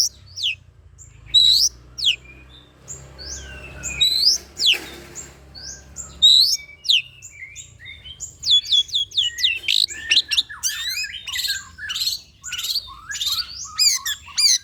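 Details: Long-tailed shrike song used as a lure to make other shrikes sing: scattered sharp high chirps and steep downslurred whistles, sparse at first, then a dense quickfire run of varied notes from about eight seconds on.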